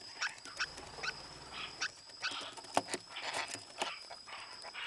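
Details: Lineolated parakeet kept as a pet and in breeding season, giving scattered short, rasping quack-like calls at irregular intervals against a faint constant high hum.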